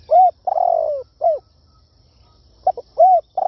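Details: Spotted dove calling in a lure style used to attract wild doves: short clipped notes, an arched coo, then a long burry note sliding downward, followed by another arched coo, all low and mellow.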